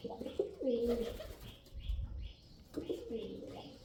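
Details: Male pigeon cooing: two low, throaty phrases that rise and then roll downward, the second after a pause of about two seconds, in a quiet background with a few soft knocks.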